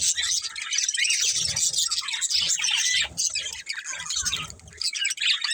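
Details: Pet budgerigars of one family chirp steadily, a thick layer of high twittering and warbles that rises and falls in waves.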